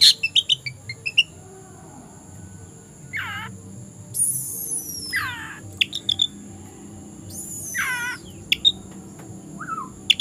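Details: Oriental magpie-robin in the afternoon, set to fight a rival. Quick chips open the clip, then long, looping whistled phrases fall in pitch, spaced a few seconds apart, with scattered sharp notes and a steady electronic-like whine in the background.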